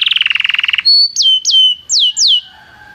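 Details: Belgian canary singing during song training: a rapid pulsing trill falling slightly in pitch, followed by a string of loud clear whistled notes that rise sharply and then drop, spaced about half a second apart.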